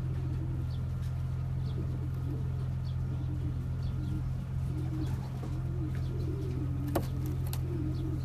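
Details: Champion racing pigeons cooing: low, rolling coos rising and falling, repeated in overlapping bursts over a steady low mechanical hum, with a sharp tap near the end.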